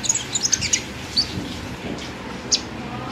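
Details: Pet sunbird kept in a cage, locally named five-colour sunbird, giving a quick run of sharp, high-pitched chirps followed by a few isolated thin notes over faint background hum.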